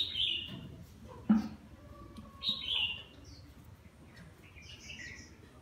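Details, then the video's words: Bathing red-whiskered bulbul with partial cheek patch and lân crest sings a few short whistled phrases, one sharp splash-like knock between them and a higher twittering run at the end. "Mào má lỡ mào lân vừa tắm vừa hót"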